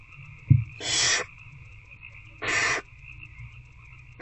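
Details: Night feeding of an older barn owl owlet by an adult inside a nest box, 19 February 2024, shortly after 9 pm: a low thud, then two coarse, noisy hisses about 1.5 seconds apart above a steady hum.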